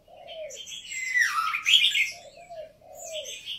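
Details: Red-whiskered bulbul, a caged singing bird from Vietnamese and Uttaradit stock, delivering a loud rich warbled phrase that dips and rises, framed by short high chirps, with low cooing from another bird at start and end.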